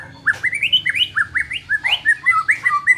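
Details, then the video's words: White-rumped shama song used to make a less aggressive bird more competitive; a steady run of rising whistled notes, repeated about three times a second, with occasional lower fluty phrases. "suara ini dapat mengatasi murai batu kurang ngotot"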